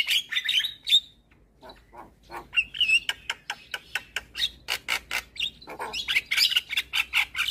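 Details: Javan myna, a jalak kebo with white eyes, singing in the morning to train and stir other birds: scratchy warbled phrases, then a fast regular series of sharp clicks and rasping notes building in loudness.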